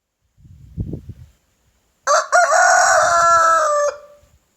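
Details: Rooster crowing in the morning: after a soft low rumble, a loud harsh cock-a-doodle-doo begins with short broken notes, then holds a long strained drawn-out note for about two seconds before fading.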